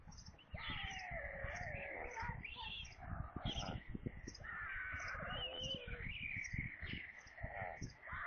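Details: White storks at supper on their nest in Kaluga region, Russia, 22 July 2022, with a corncrake as prey. After a brief pause, mewing, warbling wails start up and carry on in overlapping bursts over light low knocking.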